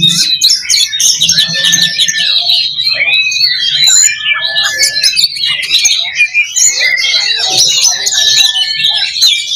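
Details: Oriental magpie-robin (kacer) in a 'loba' fighting-style simulation meant to build fighting spirit: dense, overlapping chattering song with sharp whistles and fast rattles, steady slurred notes repeating near the middle, continuous and loud throughout.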